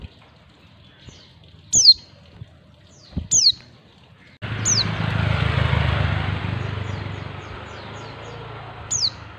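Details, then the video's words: Female white-eye calling to attract males, giving sharp high downslurred notes at irregular intervals, then a loud broad rushing noise sets in halfway and lasts to the end, with one more note at the close. "panggilan pleci betina. pleci jantan auto nyawut"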